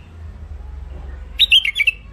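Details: Caged wild-type hybrid finch (mule) from Baghdad, Iraq, described as thick-throated, gives a short burst of song: four or five quick chirpy, slurred notes, loud against a quiet low hum.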